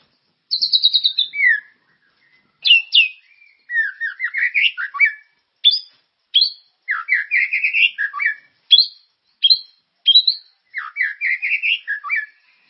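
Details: Continuously singing white-rumped shama, used as a lure to make caged birds sing. Short varied phrases of downslurred whistles and chattering notes come one after another, each about a second long, separated by brief pauses.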